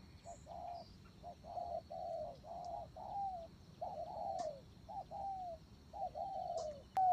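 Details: Spotted dove kept as a decoy, cooing in a steady run of mellow phrases, short notes followed by longer downward-sliding coos, a sharp click near the end.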